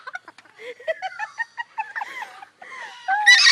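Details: At Parrot Mountain, Pigeon Forge, Tennessee, an umbrella cockatoo (Cacatua alba) mocks visitors' laughter in a rapid string of choppy, hoarse 'ha-ha' notes, ending in a harsh, louder screech.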